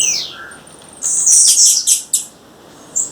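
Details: Female blue-black grassquit calling in the wild: a thin downslurred note, then a dense burst of high squeaky chirps and two sharp ticks.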